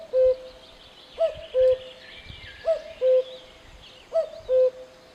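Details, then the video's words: Steady cuckoo calls, each a short high note followed by a longer lower cu-coo note, repeating roughly every one and a half seconds, accompanied by faint twittering of other birds. "Voice of Cuckoo"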